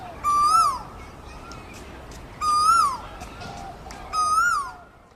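Asian koel giving three loud, clear notes about two seconds apart, each swelling upward then dropping away sharply, over faint background hiss.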